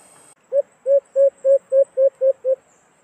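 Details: White-eared brown dove, known locally as alimokon, used to lure birds into a cage trap: a brief noise, then eight low, mellow coos delivered rapidly and evenly.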